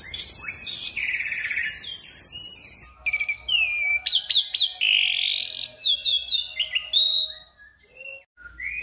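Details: Varied, fluent Asian pied starling song meant to prompt other birds into singing: after three seconds of steady hiss, a string of clear rising and falling whistles, sharp chips and slurred notes.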